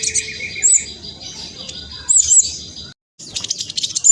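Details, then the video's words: Spotted black sunbird in fast, lively song, used as a lure to draw replies from other birds; thin, high sustained twittering with sharp whistled upslurs, briefly cut off then resuming. "Kolibri blacksunbird trotol speed cepat semua burung akan ikutan nyaut respon"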